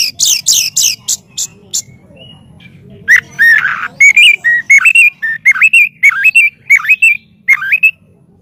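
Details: White-rumped shama master song for training birds: opens with rapid high chattering notes, then flows into a long run of melodious whistled phrases with dipping and rising slurs.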